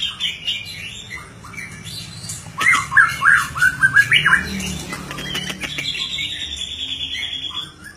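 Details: Murai batu, or white-rumped shama, singing energetically: short whistled notes, then a loud burst of sharp, jumpy trilled phrases midway, ending in a long steady high whistle over faint low rumble.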